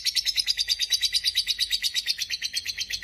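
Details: Dakocan lovebird in lively, energetic song, meant to coax reluctant lovebirds into singing; a shrill, trilling chatter pulsing about three times a second with a wavering high whistle inside it.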